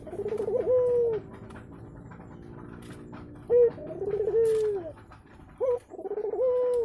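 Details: Local spotted doves courting inside their nest, a sign that eggs will soon be laid: soft low hoarse coos with a wavering start and a long drawn falling note, three phrases separated by pauses, with faint rustling.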